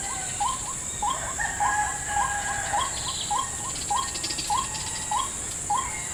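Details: White-breasted waterhen calling in a salak palm plantation while being lured toward a trap. Short hooked notes repeat about twice per second against a steady high insect drone, with faint thin whistles from other birds.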